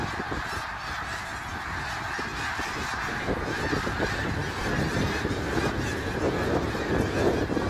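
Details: Massed snow geese calling at Middle Creek Wildlife Area on March 3, 2022; rapid honks tumble over one another in a continuous noisy chorus that swells slightly toward the end.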